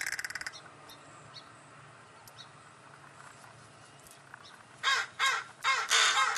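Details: A small chorus of crows calling to the person who feeds them, begging for their supper; a brief rattling burst opens, then a long quiet stretch before about five loud, harsh, overlapping caws in quick succession.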